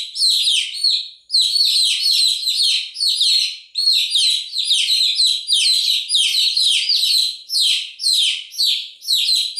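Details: A crowd of chicks calling nonstop, their high thin peeps tumbling over one another in quick downward slurs, with only short lulls between bursts.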